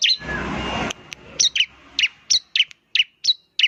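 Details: Semi-active song of a bar-winged prinia, said to make others sing rapidly; a rustling noise opens, followed by a spaced series of loud high chirps, each falling in pitch, about three every second.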